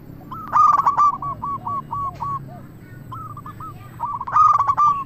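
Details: Zebra dove of a local strain in full song, used as a lure to make other doves reply. Quick runs of short, bouncing coos are interrupted by loud, buzzy, stuttering bursts at the start and end.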